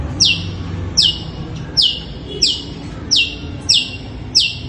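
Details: At night a long-tailed shrike utters calls likened to a kuntilanak ghost: six piercing, high-pitched notes, each dropping sharply in pitch, spaced evenly about every 0.7 seconds over a low background hum.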